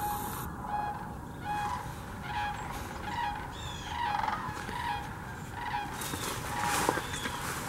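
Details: Sandhill cranes among the thousands migrating to Hiwassee Wildlife Refuge, Birchwood, Tennessee, recorded on a GoPro Hero 9 and Canon Powershot: rolling, trumpeting calls with layered overtones repeat about once a second over a steady hiss of wind.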